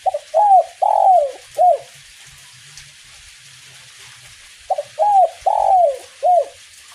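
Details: 'Kuk 1' song of a spotted dove during light rain, two phrases of four soft hooting coos separated by a pause of about three seconds, each note arching then falling, over quiet background hiss.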